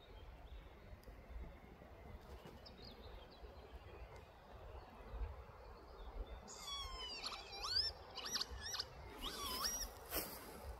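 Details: Northern lapwing at Prošca, Ljubljansko barje, on 7 June 2024, giving a run of wheezy, slurred 'pee-wit' calls that swoop up and down, starting after a quiet stretch with low wind rumble.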